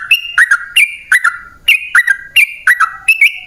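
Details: Trucukan, the sooty-headed bulbul, sings a lure song meant to make wild birds respond. Short bright whistled phrases with rising and dipping notes come in quick pairs, roughly every half second.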